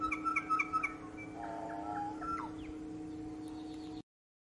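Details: A North Island kōkako singing its territorial song in early morning on Tiritiri Matangi Island: four quick, rich, organ-like notes, then slower mellow tones and a falling slur, over a steady low background hum.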